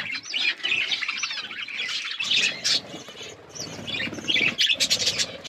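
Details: Flock of budgies eating food. Warbling, squeaky chirps from several birds overlap throughout, swelling into louder bursts of chatter toward the end.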